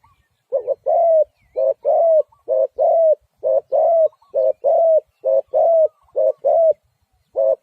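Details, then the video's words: Repeated low coos of spotted dove in near-continuous series, paired short and longer croos following each other every half second or so, steady and rhythmic throughout. "Sound Of Spotted Dove is so good"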